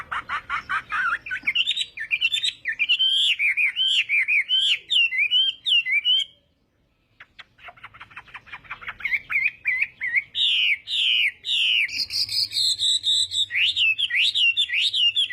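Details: Chinese hwamei morning fighting song: long bursts of varied loud whistles, looping and rising, broken by a short pause and then resumed with rapid clicks before more powerful whistled phrases.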